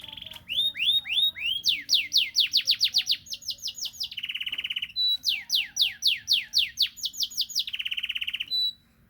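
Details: Morning courtship song of a canary, with rapid downward-sweeping whistles in quick runs broken by dry buzzy rattles and a short clear whistle, repeated in phrases.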